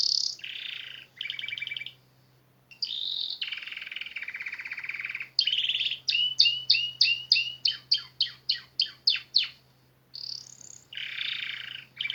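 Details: Canary song in a natural setting, with buzzy rattling phrases separated by short pauses, a fast series of sharp descending whistles in the middle, and another rolling trill at the end over a steady low hum.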